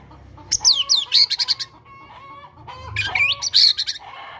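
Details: White-rumped shama, caged, giving a prompting song full of Java sparrow imitation; sharp descending whistles and harsh high chatter in two bursts, with a faint low hum beneath.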